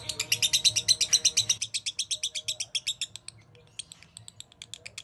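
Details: Champion lovebird singing in a 'masteran' tutor recording, said to sing long-drawn 'narik panjang': a rapid run of bright, high, chattering chips about six per second for a second and a half, then sparser, looser notes.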